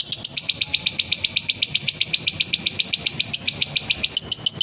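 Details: A male lovebird's konslet ngekek, used as therapy to stimulate other lovebirds, delivers a fast, steady stream of piercing chirps, around four to five per second, without a pause.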